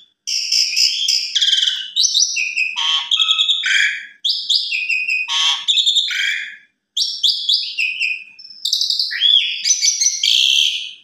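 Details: Asian pied starling evening lure song that prompts young birds to sing and learn: repeated loud bursts combining piercing whistles with coarse, rattling buzzes, each phrase separated by a short pause, with a clean background.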